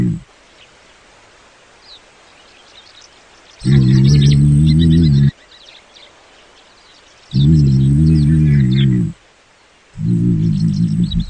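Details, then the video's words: Common ostrich giving deep, low booming calls: three steady humming bursts, each lasting over a second, separated by a few seconds of quiet, with a faint rustle in the background. "Страус. Голоса птиц"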